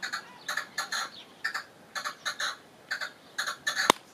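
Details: European goldfinch singing: bright, twittering bursts of notes about every quarter to half second, with one sharp click near the end.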